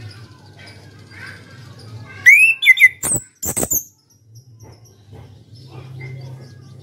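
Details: Champion caged orange-headed thrush in ngeplong song: one long rising whistle sliding into looping notes, then two harsh high bursts, followed by quiet with a steady low hum and a faint distant note.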